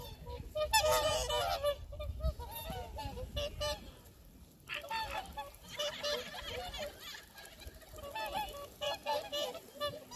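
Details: A flock of swans on the shore of Lake Kussharo, Teshikaga, Hokkaido, gives loud, nasal, trumpeting honks that overlap in a busy chorus, several calls a second, over a low rumble of wind; nearby tourists' voices may be faintly audible.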